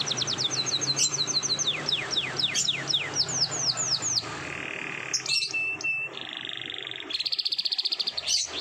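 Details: Canary in the morning, singing a long roll: a run of rapid descending whistled sweeps, then a mid-pitched flat note and a fast high trill, over a low background hum.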